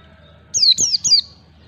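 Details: White-eye song meant as a lure for young birds learning to sing: three rapid high, downward-sliding whistled notes in quick succession.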